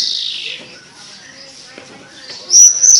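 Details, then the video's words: Sweet-voiced Javan bush lark: a buzzy note sliding downward, a stretch of soft faint twittering, then loud, piercing high whistles near the end. "Burung branjangan edun suara merdu"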